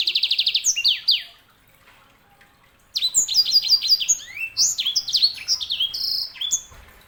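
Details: Canary hybrid known as sanger in full song: opens with a fast trill of repeated notes, then after a pause a long, varied run of rapid chirps, slurred whistles and downward sweeps.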